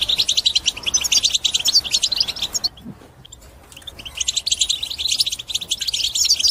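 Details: European goldfinch song to motivate birds to sing: lively rapid twittering with buzzy trills, a pause near three seconds, then a renewed continuous stream of tinkling notes.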